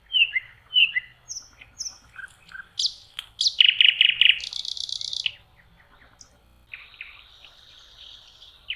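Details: Nightingale in song on a lake shore in spring, May: paired whistled notes, sharp snapping clicks, a loud churring trill, then a quieter sustained buzzy phrase after a short pause.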